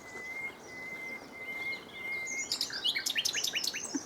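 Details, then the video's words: Common nightingale singing in sunshine: a long, steady, thin whistled tone held for over two seconds, then a sudden burst of rapid, buzzy, high chirping notes. "A Nightingale Singing in the Sun"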